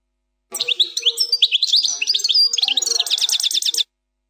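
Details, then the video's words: European goldfinch singing plak mine song: one phrase of varied, high, liquid twitters that ends in a rapid, even series of repeated chirps. "canto del jilguros plak mine,غناء حسون بلاك مين بدون غلاطات"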